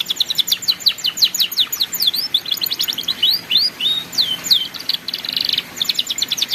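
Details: Young canaries' learning material, a canary's ngeriwik song: a continuous, energetic stream of high, rapid chirps and down-slurred whistles, with a brief buzzy trill late on.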